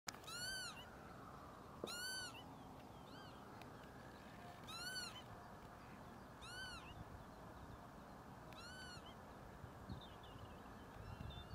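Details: Northern lapwing giving five wheezy, mewing, arched calls, roughly every two seconds, over a steady low rumble of wind or distant traffic; Ljubljana Marsh, Slovenia, 13 April 2024.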